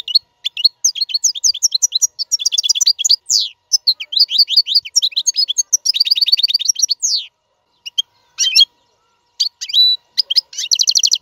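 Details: Royal European goldfinch song for teaching caged fledglings to sing: long rapid twittering of high liquid notes, trills and quick repeated chirps, pausing near the end before further bright phrases.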